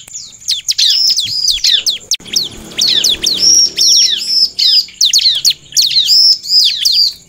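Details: Bar-winged prinia singing energetically, mixed with female prinia calls meant to make other prinias respond quickly: dense high chattering of sharp descending notes and short whistled slurs, almost without pause.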